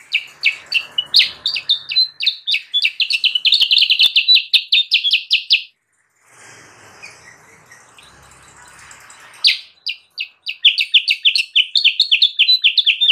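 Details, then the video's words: Kutilang sutra used to lure wild birds: a long, rapid chatter of high chip notes stops suddenly, leaving a quiet gap before the fast chirping starts up again. "suara burung kutilang sutra gacor!!! pancingan dan pemikat burung kutilang sutra liar"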